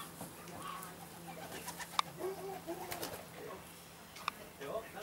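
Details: Indian Fantail fancy pigeons, domestic Columba livia, kept in Alkmaar, Holland; soft low cooing notes come and go amid indoor chatter and sharp clicks.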